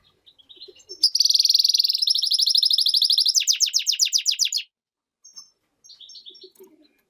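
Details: European goldfinch × canary hybrid singing: a bright, buzzy sustained trill flows into a run of fast, evenly repeated sharp notes lasting about three and a half seconds, followed by a few faint soft chirps.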